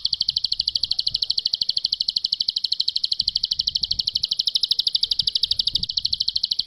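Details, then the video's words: A bar-winged prinia delivers a long, unbroken high trill of rapid buzzy pulses, about ten per second, steady in pitch, with faint background noise. "Ciblek Pari Ngebren || Suara Jernih panjang Bejeda"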